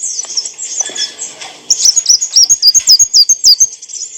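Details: Kolibri wulung, the olive-backed sunbird, singing as training material for cage birds: a soft blurred high twitter, then a clear quick sequence of sharp hooked notes, roughly four per second, ending abruptly.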